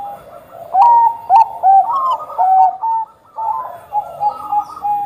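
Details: Actively singing Bangkok-type zebra dove, used to prompt other doves to sing; crisp, rhythmic bursts of rolling coos, separated by a brief lull.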